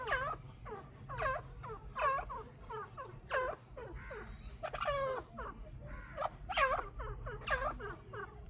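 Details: Chukar partridge pair in a rapid, continuous chorus of hoarse, curved chuk notes, several per second, overlapping at times, with a rumbling low background.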